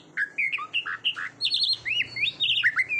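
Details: Short Oriental magpie-robin phrase from a training recording for contest birds: separate mellow whistled notes, then a burst of higher, trilled and warbled notes.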